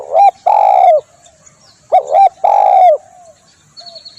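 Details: Spotted dove cooing, suited for luring birds: two loud phrases close together. Each is a brief hooked double note followed by a long, level, slightly falling coo. A faint high chirp sounds near the end.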